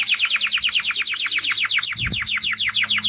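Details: Male timbrado canary singing a fast, unbroken series of descending whistled notes, about eight per second, bright and loud throughout, over a faint low hum.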